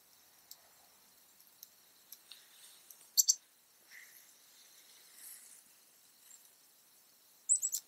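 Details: A chickadee on a quiet afternoon, 3 March 2019 around 3 PM, gives sparse, sharp, high chip notes, a double chip near the middle and a quick triple near the end, amid faint ticks and clicks.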